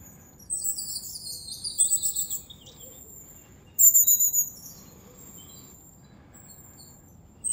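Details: In a January forest in the Moscow region, long-tailed tits utter high, thin, slightly wavering seep notes, a cluster early on and a louder run midway, then near silence.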